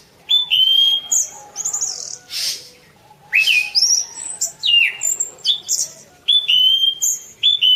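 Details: Orange-banded thrush song recorded as a masteran training track: loud, clear whistled notes near mid-high pitch, some sliding upward, broken by a harsh noisy burst, phrases in quick bursts with short pauses.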